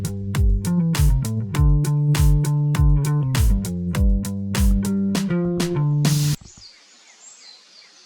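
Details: Funky plucked guitar and bass music that cuts off abruptly into faint, quiet background noise.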